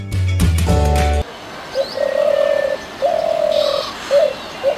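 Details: Spotted dove (Spilopelia chinensis) in Sri Lanka, call: soft, low, drawn-out coos, several in a row with short gaps, after a brief burst of music.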